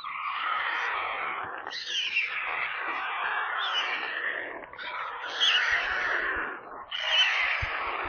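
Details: Hungry white stork chicks in a nest near Kaluga, central Russia, beg with a steady, harsh, hissing screech, swelling into louder raspy bursts about every second and a half.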